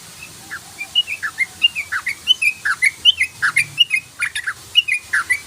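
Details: Rapid 'ropel' lure song of a yellow-vented bulbul: an unbroken stream of bright, liquid chirps, some rising and some dipping, packed two to four per second, loud over a quiet background.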